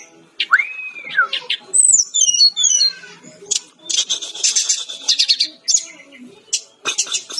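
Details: Energetic song of a brown-chested jungle flycatcher recorded for training: an opening arched whistle, descending sweeping notes, then long buzzy high chatter broken by short sharp notes.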